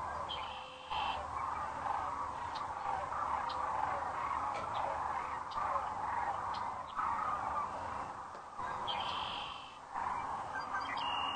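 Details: Webcam sound from Rowe Sanctuary, Gibbon, Nebraska, on April 4, 2013, as sandhill cranes arrive for the night under the setting sun. A near-continuous chorus of rolling, trumpeting calls comes from many birds, with occasional sharper higher whistles and a steady hiss.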